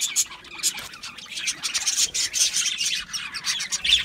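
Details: Budgies at a seed mix, chattering in quick, scratchy high chirps, some louder clicks and squeaks standing out from a steady twitter.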